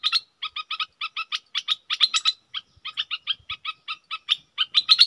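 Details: A decoy Red-whiskered bulbul gives the 'rik' and double calls as a fast series of short, harsh, rasping notes, grouped in pairs and triplets with brief gaps between them.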